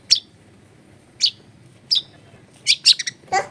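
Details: Long-tailed shrike singing a clear fill-in-rich song for luring other shrikes; short sharp high chips spaced about a second apart, ending with a quick cluster of notes and a lower rasp.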